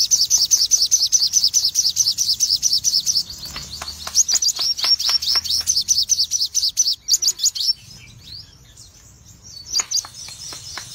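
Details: Singing Crimson sunbird of the cremino colour form with red eyes. A dense, fast burst of high, piercing chirps fades into sparse notes, then resumes briefly at the end.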